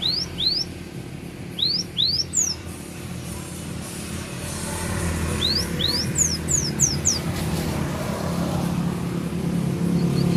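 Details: Cinereous tit, gelatik batu, from Takengon, Aceh Tengah, delivering filler phrases: pairs of quick upslurred whistles, then a burst of several descending high notes, over a rising wash of low rumbling background noise.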